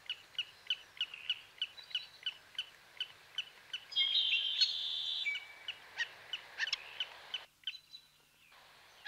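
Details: Black-necked stilt with steady, evenly spaced sharp call notes. A brief burst of buzzy, rasping sound interrupts them midway, and they continue until near-silence closes the recording.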